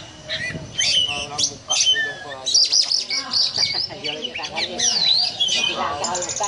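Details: Ngobra song of an oriental magpie-robin, a style compared to a cobra: rapid strings of piercing whistles, clicks and buzzy notes run almost continuously, with low voices faintly audible underneath.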